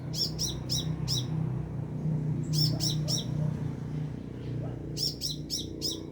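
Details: Sunbird singing from about two meters above the recordist at Binjai, heard in three bursts of three to four sharp, high, rapid chirps at roughly two-and-a-half-second gaps, over a steady low rumble with a man speaking softly.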